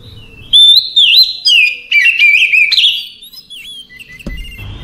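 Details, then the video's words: Oriental magpie-robin in relaxed night song: bright whistled phrases and chattering trills for about three seconds, then softer scattered notes and a single dull knock near the end. "Ocehan Santai Di malam Hari Cocok Untuk Terapi Segala Jenis Kacer"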